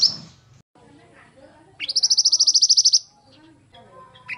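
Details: Loud pied bushchat song for training: after a quiet pause, one rising, rapidly pulsed high trill of about a second, with faint low chirps and background murmur around it.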